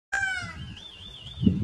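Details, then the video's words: Indian peafowl, a peacock, calling during a dance display: one loud, nasal, cat-like wail sliding slightly downward, then a thin wavering tone, with low rumbling noise at the end. "Peacock Dance & Calling"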